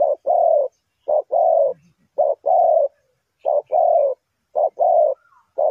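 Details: Repeated cooing from a spotted dove used to lure birds into traps: five short-then-long paired notes, mellow and throaty, with little else audible.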